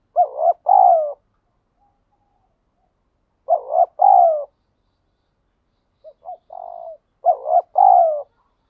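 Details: Wild spotted dove outdoors giving its 'thúc gù' coo style: three low, hollow cooing phrases spaced about three seconds apart, each a quick double note then a longer falling coo, the last introduced by short clipped notes; otherwise silent.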